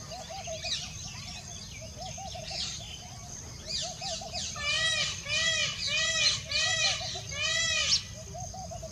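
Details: After soft background bird chatter, an Indian peacock bursts into a run of loud, bowed, harmonic-rich calls repeated quickly for about three seconds, then stops.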